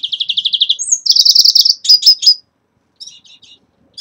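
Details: A captive red-fronted serin at the start of its moult sings a rapid, high jingling trill, then a thin upslurred whistle and fast buzzy twitters, with softer chirps after a short pause.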